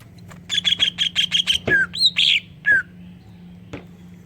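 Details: Greater green leafbird song with kingfisher-style fill-in, used as a lure for other leafbirds: six quick harsh notes followed by several clear, slurred whistles, then quiet with a steady low hum.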